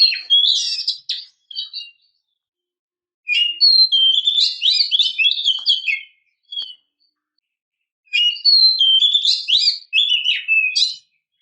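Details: Calling female Oriental magpie-robin, used to lure males into song: a burst of mixed whistles and chatter with two short notes, a pause, then a long varied phrase of sliding whistles and scratchy notes, a tiny chirp, and a final vigorous sequence.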